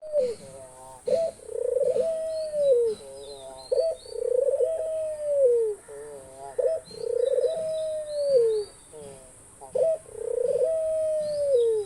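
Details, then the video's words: Australian dove gives soft, low, drawn-out coos that rise then fall, repeated about every three seconds, with thin high chirps from small birds in between. "ঘুঘু পাখির ডাক। অস্ট্রেলিয়ান ঘুঘু পাখির ডাক।The call of the dove.Australian dove bird call."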